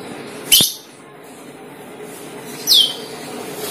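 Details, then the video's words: Asian glossy starling call used as a lure for the same bird: two sharp, high, steeply falling whistled notes about two seconds apart over a faint steady background hum. "PANCINGAN CUCAK KELING | CK | PERLING"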